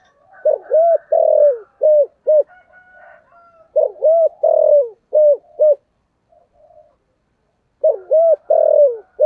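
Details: Spotted dove singing in the Vietnamese 'thổ sấm' voice, a lure recording meant to make wild doves answer: phrases of five mellow, bouncing coos that dip at each end, repeated after pauses, with soft murmuring coos between phrases.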